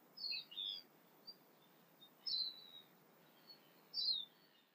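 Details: Early-morning sunrise tūī song in New Zealand with other birds around: sparse bursts of high whistled notes and quick descending slurs, four main phrases spaced roughly a second apart, with faint short notes between.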